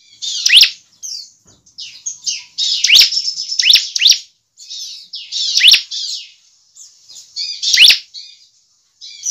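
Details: High-pitched bar-winged prinia song meant to encourage other birds to sing, with loud sharp falling notes every second or two between buzzy, chattering trill passages.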